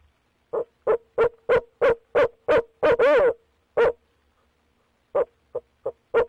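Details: Barred owl hooting at night on 6 February 2019, one of a pair calling through the night around a nest box: about eight evenly spaced low hoots climbing to a drawn-out wavering note, a pause, then four more hoots.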